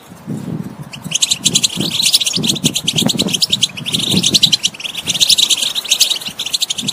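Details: Song of a European goldfinch meant to encourage a non-singing bird to sing: continuous fast, chattering high trills, with softer low cooing sounds pulsing underneath.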